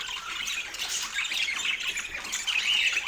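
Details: Pet parakeet at autumn morning feeding in natural light: short burst of raspy chatter ending in a clearer, higher whistled squeak.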